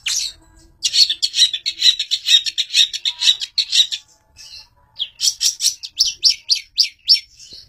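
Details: Long-tailed shrike, a fighter used as a master bird: a rapid scratchy chatter lasting about three seconds, a short pause, then a row of sharp, clipped chips.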